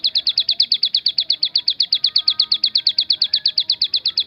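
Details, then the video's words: Javan sunbird delivering 'tembakan' variation song, a sustained rattle-like series of sharp, high chirps at around three per second, with a faint steady hum underneath. "ciblek gunung bunyi fariasi tembakan"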